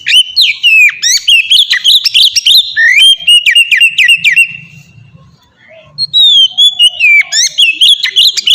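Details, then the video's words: White-rumped shama singing ngeplong, a style played to get captive shamas singing: quick repeated whistles and chirps, a brief lull, then a clear falling whistle and another rapid varied burst. "suara burung kacer ngeplong merdu sangat ampuh buat pancingan kacer bahan bikin cepat gacor"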